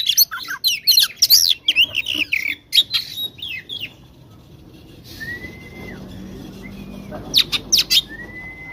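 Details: Oriental magpie-robin, caged, in a fighting song to provoke rivals: four seconds of rapid chattering, scratchy and whistled notes, then a pause and a few clear drawn-out whistles with brief sharp chirps.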